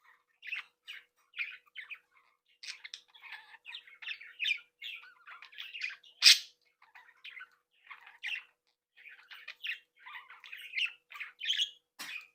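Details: Budgerigar breeding flock chattering indoors: spaced chirps building into steady warbled chatter, one sharp loud squawk in the middle, short scratchy notes continuing throughout.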